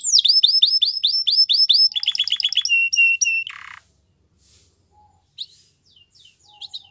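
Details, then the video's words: Belgian canary song used for canary training: a run of repeated down-swept whistles, a quicker stuttering phrase, a flat held note, then a brief buzz and a few scattered soft chirps after a pause. "Canary Training Video | Belgian Canary Singing"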